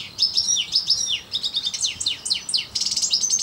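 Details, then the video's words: Parva European goldfinch in song; rapid sweeping downslurred chirps mixed with liquid twitters, ending in a fast rattling trill, all high-pitched and bright. "parva putter zang. chant chardonneret parva"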